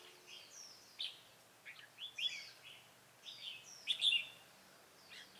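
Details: Red-whiskered bulbul used as a decoy during bird trapping, 27 October 2017: short, bright warbled phrases in bursts about a second apart, chirpy and slightly slurred, over a quiet outdoor background.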